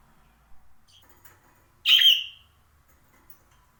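A parakeet gives one loud, harsh chirp lasting about half a second, with a faint softer note just before it and a quiet background.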